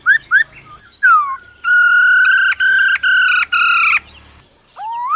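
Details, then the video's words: A female laughingthrush calls 'ro ro' to excite a male. Short looped whistles open, then a falling slur, then a long, rich, steady note cut into four segments. A rising whistle closes. "Khướu mái ro ro kích trống nhanh căng lửa"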